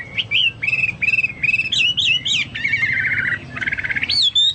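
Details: Chinese hwamei in lively song said to resemble cucak Papua or cucak mas: clear whistled phrases, some steady and some rising and falling, repeated in quick bursts with short pauses, ending on a higher rising whistle.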